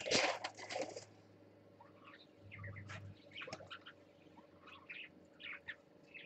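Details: Parakeet on swings, dated 12 20 14: a loud rustle at the start, then soft warbled chirps and short squeaky notes scattered over a steady low electrical hum.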